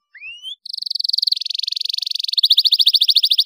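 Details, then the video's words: A canary sings a brief rising whistle, then rolling high trills that change pace in steps, ending in a faster, louder trill; the song is used to stimulate young canaries to sing. "CUITAN KENARI"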